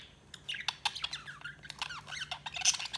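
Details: Budgerigars chirping: a dense run of quick warbled notes, short up-and-down sweeps and sharp clicks, busy and continuous throughout, over a faint low hum.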